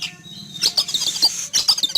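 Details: Oriental magpie-robin kept in a cage and put out in a yard one morning, agitated after spotting an eagle overhead: short high whistled notes and rasping chirps in a rapid cluster after a quiet start.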